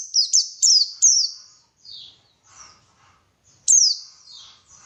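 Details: White-eye song for prompting birds to sing: a quick burst of three piercing, falling high chirps, softer twittering notes, then one more loud down-slurred chirp after a pause.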